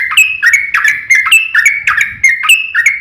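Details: Fighting-style song of a yellow-vented bulbul, a long 'ropel' chatter meant to provoke other bulbuls into singing. Short bubbly phrases sliding down and back up, roughly every third of a second, steady and clear throughout.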